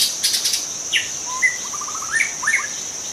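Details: White-rumped shama from the forest, a wild bird whose song serves to lure other shamas. It sings short clear whistles and a rapid ascending series of staccato notes, with a constant shrill insect hum behind.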